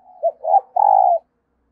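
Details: Spotted dove kept as a decoy, crowing to attract new wild birds: one brief low hoot, a slightly longer one, then a long steady mellow coo, the whole phrase lasting just over a second.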